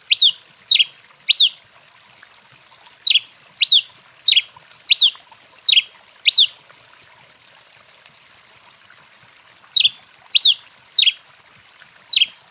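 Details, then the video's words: Rufous-collared sparrow in excited song of the 'canto 21' style: sharp slurred whistles, some rising then falling, others dropping steeply, given in quick bursts of two or three with pauses between bursts, about a dozen notes. "TICO TICO REI CANTANDO DEMAIS! CANTO 21, ESQUENTADO!"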